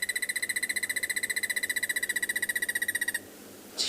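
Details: A crested barbet calling just behind a game-drive vehicle at sunrise on 30 May, Tswalu Kalahari Reserve, South Africa: a long, even, buzzy trill of about twelve pulses a second, lasting three seconds, over faint hiss.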